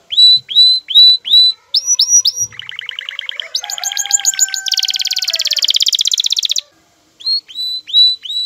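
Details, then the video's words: Aroused male canary courting a female: a string of upswept whistled notes, then fast rattling rolls building into a loud high buzzing trill, a short pause, and more upslurred whistles. "ذكر كناري هائج يجعل أنثي الكناري تأخذ وضعية التلقيح"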